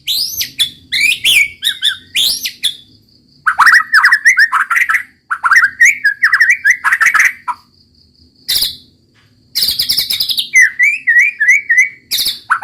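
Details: White-rumped shama performing 'roll tembak' song: loud, varied bursts of swooping whistles and quick trills in several phrases, separated by short pauses, with sharp high notes between them.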